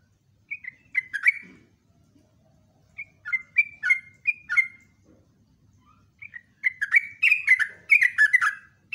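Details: Caged sooty-headed bulbul (trucuk) in ropelan song: groups of bright, descending whistles, quickening into a dense chattering run near the end.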